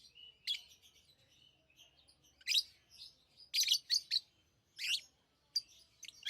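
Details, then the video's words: Chirping lovebirds: scattered shrill, buzzy squeaks and brief clusters of harsh notes, interspersed with soft faint twittering against a low indoor hum. "Love birds Sounds | lovebirds chirping sounds"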